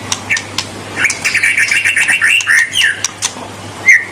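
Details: Vigorous white-rumped shama song intended to provoke rivals: a dense string of quick chirped and whistled notes, warbling around a steady pitch, ending in a single louder whistle; faint hum beneath.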